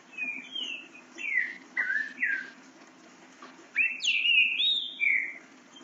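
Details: Young captive green-winged saltator, eight months old, learning to sing and showing speed: clear whistled phrases, sliding and falling notes, delivered in short bursts with pauses, over a low steady background hum.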